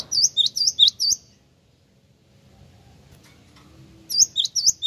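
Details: High, ringing chirps of a Java sparrow used as a lure: a rapid cluster of five notes, a pause of nearly three seconds, then another quick cluster begins.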